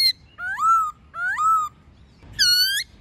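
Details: White-cheeked laughingthrush recording with a female, used to stimulate captive birds: two rising, drawn-out whistled notes followed by a harsher, flat, rich note.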